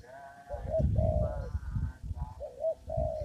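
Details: Spotted dove in a papaya garden where birds are trapped with a lure: mellow mid-pitched coos in short rounded phrases, with low thumping and rustling noise beneath and a faint higher harmonic tone alongside.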